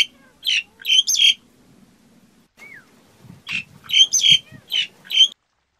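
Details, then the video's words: Black-collared starling producing harsh squeaky chatter in short bursts, with a pause containing a faint descending note and low murmuring, then more scratchy whistled phrases. "Tiếng Cà Cưỡng hót"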